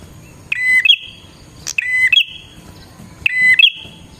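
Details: Bar-winged prinia in strong continuous song for trapping wild prinias: three clear phrases, each a level whistle jumping to a higher raspy drawn note, with a brief click between phrases.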